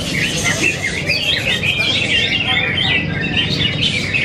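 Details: At a singing competition in Yogyakarta, Indonesia, a prize-winning greater green leafbird delivers a continuous, varied chatter of quick sliding whistles and trills over a low background of people.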